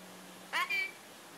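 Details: A happy pet red-collared lorikeet repeats the Farsi word "Bea" ("come over here") in a quick two-syllable burst: a harsh, voice-like note, then a clear, level whistled tone, in quiet surroundings.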